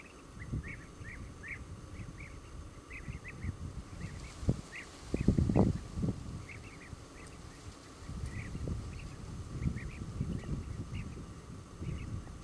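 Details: European bee-eaters call repeatedly, short rolling, burry notes given singly or in quick pairs, several birds overlapping, over loud low rumbling wind noise with a few thumps midway.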